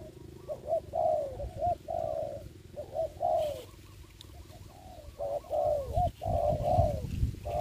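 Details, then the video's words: Spotted dove working as a trapping decoy in Dong Nai, Vietnam, during Covid-19: quick runs of short coos and longer falling notes, fainter coos between louder ones, over a steady low hum and some rustling. "bẫy cu gáy cùi bắp clip17(bẫy cu gáy mồi đất ) đánh cu gáy"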